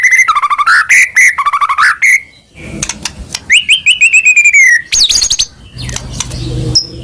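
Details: Caged white-rumped shama in full varied song: fast rattling phrases alternating between two pitches, clicks, a falling trilled series, a sharp upward whistle and scattered chips, with faint low background noise near the end.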